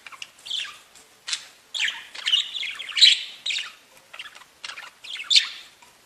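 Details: Budgerigars singing, tweeting pet birds: continuous chatter of short buzzy and whistled notes rising and falling, with a few louder sharp chirps.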